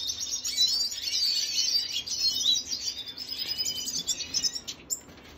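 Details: Red siskin, Venezuelan, recorded 2022.06.25, delivering rapid continuous high twittering that fades toward the end, ending with a single sharp note.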